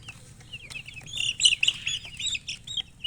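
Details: Chickens chirping: a dense run of short, high, slurred peeps, some rising and some falling, overlapping quickly for the whole three seconds with a faint low hum beneath.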